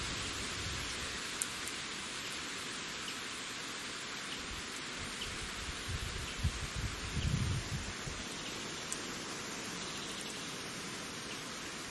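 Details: Steady broadband hiss like rain or rustling leaves, with a few faint clicks and a low rumble, but no clear animal call.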